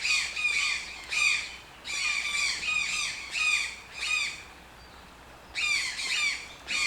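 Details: Toucan calling with loud, grating squawks delivered in rhythmic bursts about every second. There is a quieter gap of nearly two seconds before the harsh series resumes.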